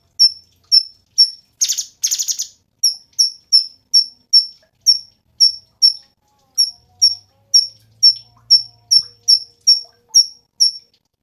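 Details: Cungkok singing actively: sharp, high, clipped chips repeated about two to three times per second, with one brief buzzy rattling burst early on; no other sounds.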